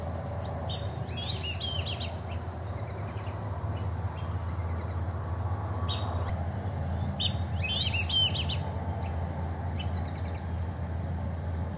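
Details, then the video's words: Black-bellied whistling duck adults at sunrise in Oklahoma call their offspring in for a landing: two bursts of shrill, squeaky multi-note whistles about six seconds apart, over a steady low rumble. "Black-Bellied Whistling-Duck adults call their offspring in for a landing"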